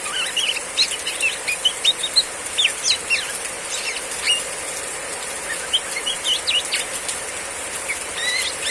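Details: Female Oriental magpie-robin in riwik ngeplong song during heavy rain: a busy stream of sharp, high chips and quick whistles for several seconds, a brief lull, then renewed chattering over continuous rain.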